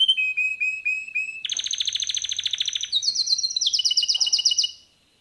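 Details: Singing male canary: a string of short, slurred whistled notes, then a loud rapid trill. Brighter trills climb in steps, and the phrase ends abruptly in silence.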